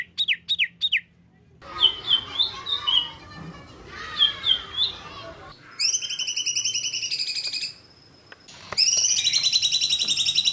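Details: Bird in a tembakan jitu masteran recording: opens with a few quick falling whistles, then warbling chatter, and ends with long buzzy trills on a high, even pitch.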